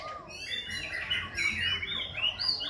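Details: Khe Sanh laughingthrush in continuous voice-switching song while dancing, giving a quick tumble of overlapping clear whistles that climb toward the end of the phrase.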